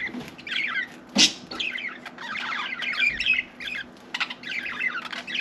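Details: Pet budgerigar chattering as if trying to talk: dense, scratchy warbling with quick wavering chirps and one sharp, loud click-like burst near the start.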